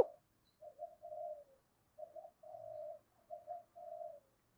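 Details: Spotted dove cooing in the morning while a caged lure bird calls wild birds. Softer, more distant coos come in two groups, each with short notes and a drawn-out level coo, against quiet low background rumble.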